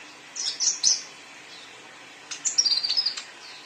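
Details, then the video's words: Vigorous song of a young male sunbird: a few high slurred whistles, a pause, then a fast tumbling burst of thin, sharp twittering notes. "KOLIBRI NINJA ANAKAN JANTAN GACOR"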